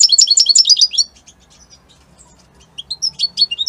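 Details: Singing European goldfinch of Italian type: a quick, loud burst of tinkling twitters, a short near-silent pause, then more scattered bright chirps resuming toward the end.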